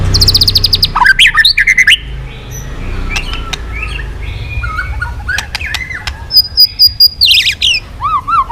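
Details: White-rumped shama singing again after falling silent: a quick rattling trill and harsh twisted notes open, then scattered clicks and soft chips, ending with a high sustained whistle and a series of looping, bouncing whistled notes.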